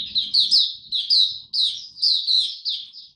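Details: Young male white-eye, recorded 9 February 2022 as his song matures: high, thin chirping phrases of quick rising and falling notes in short bursts, with brief gaps between groups and almost no background noise.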